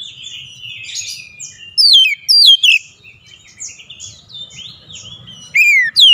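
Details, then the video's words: Oriental magpie-robin in persistent song showing off its repertoire, with soft scratchy twittering mixed with loud clear downward-sliding whistles that come in a few bright bursts. "KACER NGOTOT BONGKAR ISIAN"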